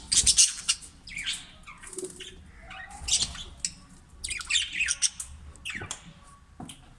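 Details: Budgerigars, green parrots kept in a breeding cage, give scattered harsh squawks and scratchy chirps in irregular bursts, with quieter gaps between the calls.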